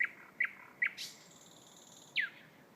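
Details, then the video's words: Thrush nightingale song, very loud: three short clipped notes, a sharp buzzy rattle, then a loud whistle dropping steeply in pitch, against a quiet background. "Thrush Nightingale"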